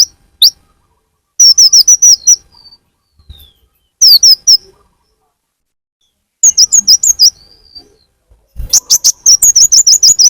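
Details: Purple-throated sunbird (kolibri ninja) lure sound meant to attract birds: bursts of rapid, very high, thin downslurred chips separated by silent gaps, each run lasting about a second.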